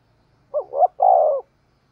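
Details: Spotted dove cooing to lure wild birds; one phrase of two quick rising coos and a longer, steady, slightly falling coo, all in a low mellow register.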